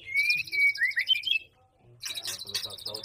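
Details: White-rumped shama in mating gives a bright warbled whistle phrase, then a pause and a harsh, broadband rattling burst, all within three seconds.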